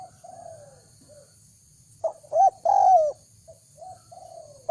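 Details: Spotted dove call used to lure wild doves: faint, soft coos at first, then a loud burst of a short note, a clipped coo and a long falling coo, followed again by quieter distant-sounding coos.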